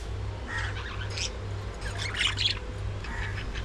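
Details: Budgerigars at early morning feeding time: scratchy squawks and short chirps from several birds overlap in bursts, with a steady low mechanical hum underneath throughout.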